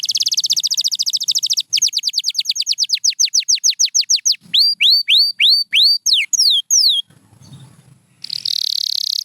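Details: Pure white canary sings fast buzzy rattling trills that change into a long series of rapid downward sweeps, then clear rising upswept whistles repeated about three per second. A brief low rustle precedes a final dense trill.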